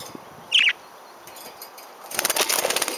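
A single harsh, screechy parakeet squawk lasting a fraction of a second, followed by a burst of rustling and wing-flapping.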